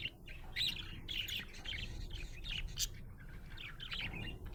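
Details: Budgerigar in a happy mood, chattering continuously with rapid, buzzy chirps and squeaky notes packed closely together, over a constant low rumble in the background.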